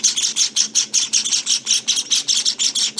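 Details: Day-19 Java finch nestlings, growing fluffier, produce a run of harsh, high-pitched raspy chirps, evenly pulsed at nearly three per second with short gaps between.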